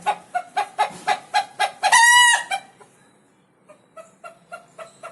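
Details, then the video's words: Pet rooster making a different noise when scared: a run of sharp, evenly spaced clucks, about four per second, building to one loud, harsh, drawn-out squawk near the middle, then quieter clucks resume after a short pause. "Sammy makes different noise when he is scared."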